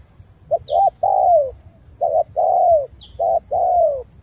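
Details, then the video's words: Spotted dove from Cà Mau with dark purple legs, cooing in the đồng gù pattern: two short clipped notes and a long coo that drops in pitch, repeated three times, with a faint thin chirp overhead. "Đồng gù bài bản tốt chân tím đen"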